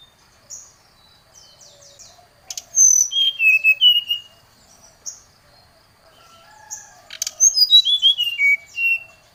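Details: Oriental magpie-robin lure song aimed at a rival: soft low notes, then two loud bursts of clear downslurred whistles and short thin high notes.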